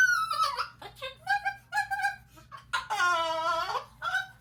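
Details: Pet umbrella cockatoo (Cacatua alba) indoors babbling in short, speech-like chattering notes, then a longer, wavering, nasal squawk near the end.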